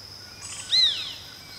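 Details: Crane hawk (Geranospiza caerulescens), call.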